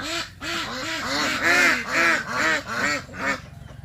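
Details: A female Yi Liang ornamental duck, a cull kept behind the house, gives a run of about eight loud, nasal quacks, roughly two per second, with a faint hiss of background noise, in a rainy season.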